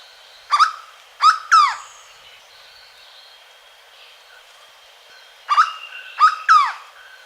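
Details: Hooded Berryeater from Caparaó National Park, Alto Caparaó: two phrases of three strong, harmonic, down-curving notes around five seconds apart, with a steady faint high tone and soft distant calls.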